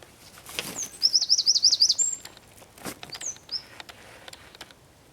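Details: Singing txepetxa, Zamudio, 4 December 2019: a high whistled note opens into a sharp trill of about eight rapid, rising-and-falling notes, ending in a long thin whistle, with clicks and rustles around.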